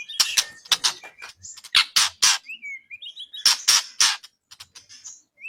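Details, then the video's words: White-rumped shama song used as a training recording for songbird contests: bursts of harsh, broadband rasping notes alternating with short high whistled slurs and twittering trills. "Masteran burung murai"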